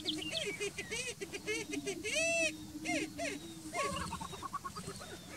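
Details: Greater prairie-chicken at a lek on Bledsoe Ranch: a low, steady moaning hoot held under a burst of harsh, harmonic-rich cackles and arched whooping notes, with calls overlapping and rising and falling in loudness.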